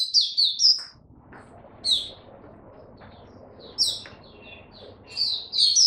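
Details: Mata Puteh, the Oriental white-eye, kept as a caged songbird, delivers short sharp twittered bursts of its 'buka' song, spaced about two seconds apart over a quiet background hiss.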